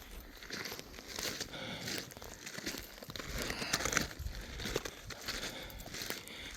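Quiet crumpling and crinkling handling noise with soft crackles indoors; no animal calls can be made out.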